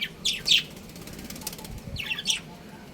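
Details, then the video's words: A breeding pair of pet budgerigars gives two short bursts of high, bright chirps about a second and a half apart, with quiet background hiss between them. "Cute Budgies Chirping Sounds"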